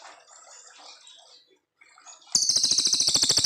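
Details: Brown fulvetta in a clear, long song meant as master material for training young white-rumped shamas; faint chatter first, then a sudden loud, high, rapidly pulsed buzzy trill.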